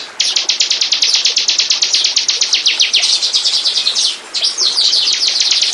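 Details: Lure recording of bar-winged prinia song meant to attract birds: a brisk, almost continuous train of high, dry repeated notes, about four to five per second, with one brief pause near the end.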